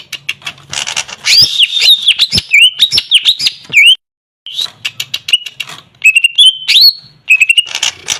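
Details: Greater green leafbird giving varied whistled phrases with sliding and wavering notes, mixed with scratchy clicks and a short pause midway.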